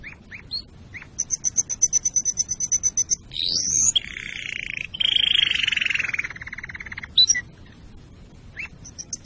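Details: Ornamental canary song for breeding preparation and teaching chicks: a series of sharp rapid repeated notes, then a sweeping whistle into a long buzzy lower roll, with isolated chirps between phrases.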